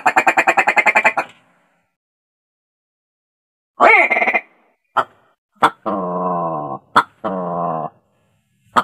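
Willow ptarmigan gives a fast, harsh rattle of about ten pulses, then nasal, croaking calls, some falling and some drawn out about a second.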